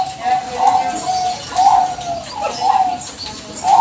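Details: Bangkok zebra dove, a keen caller, recorded as bait to provoke answering doves: rolling coos that rise slightly and repeat about once a second, over a murmur that may be voices.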